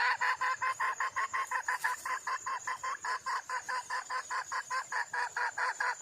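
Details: Female wild junglefowl seeking a male: a continuous run of coarse, nasal clucks, about two to three per second, evenly loud throughout, over a faint steady high-pitched hiss.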